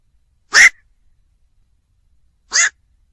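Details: Black-crowned night heron producing two harsh barking croaks about two seconds apart, the first stronger, with no other sounds.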